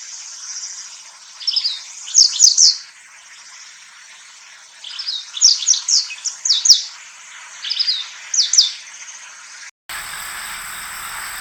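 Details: A Japanese wagtail gives its spring-to-early-summer song: bright, high, chirping phrases with quick buzzy notes, three bursts in ten seconds, followed by a brief stretch of hiss.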